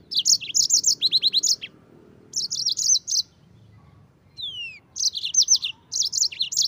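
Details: Singing yellow-fronted canary, local name mozambik, performing a rolling tutor song for white-eye birds; dense rapid trills, a clear downward slurred whistle mid-clip, then renewed chirpy bursts.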